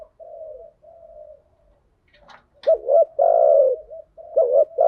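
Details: Male and female spotted doves cooing for luring and exciting decoy birds, thúc gù and gáy gọi styles: quiet low hoots, a few clicks, then loud rough rolling coos repeated in close succession.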